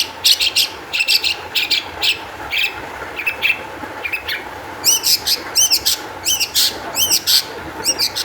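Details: Long-tailed shrike singing hard, energetic song meant to provoke other shrikes into song; harsh raspy bursts repeat about twice a second, giving way to arched whistled notes in tight pairs and triplets.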